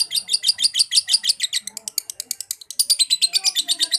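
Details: Lovebird in liyer konslet song, a fast stream of sharp, high chips pulsing about three times a second without pause, with a faint low murmur in the background.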